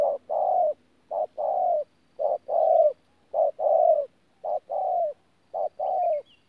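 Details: Low throaty couplets from a wild-caught adult spotted dove, thổ-style coo mixed with gù, recorded in Tu Mơ Rông, Vietnam, 14 January 2019: a short note then a long falling coo, repeated about six times with brief pauses.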